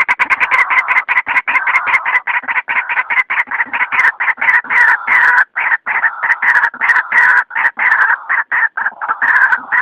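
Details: White-breasted waterhen lure call for night use: a dense, continuous run of harsh, croaking notes centred low-mid, repeated rapidly with brief gaps throughout.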